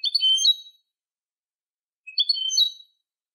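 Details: European goldfinch song for tutoring young goldfinches: two brief bursts of bright, high twittering about two seconds apart, each a jumble of tinkling and buzzy notes, in silence.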